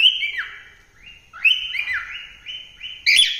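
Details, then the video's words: [1, 'likely', 'song', 'Cockatiel singing: clear whistled phrases that rise, then fall sharply, repeated in a short sequence, ending with a brief harsh burst.'] "Cocktaiel Singing | Melodious Singing"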